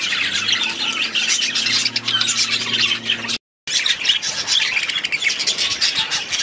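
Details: Aviary budgies in steady, dense chattering of scratchy warbles and squeaks, broken by a brief silent gap midway, with a faint hum in the first half.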